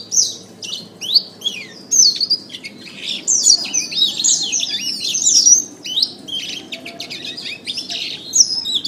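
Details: Kenari singing a masteran training recording: busy high warbling with quick chirps, buzzy trills and slurred whistles, the intensity swelling and easing in waves.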